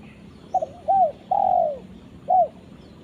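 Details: Spotted dove calling its companion: a soft clipped double note, a rising-falling coo, a long drawn coo sliding downward, then one short closing coo, all within about two seconds over a quiet rural background.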